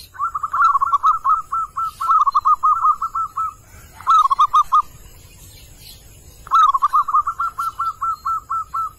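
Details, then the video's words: A wild male zebra dove calls in four bouts of quick, soft staccato coos on one mid pitch, each run about ten notes, with a low background hum and a faint high chirp. "perkutut jantan memanggil"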